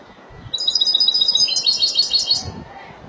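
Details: A Spanish goldfinch associated with Málaga sings a two-second burst of quick, high, jingling twitters over a faint low hum.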